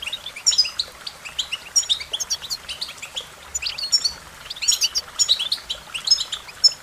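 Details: Bright, fast twittering song of an American goldfinch, with clusters of high chirps and short whistles coming in quick phrases across the whole stretch.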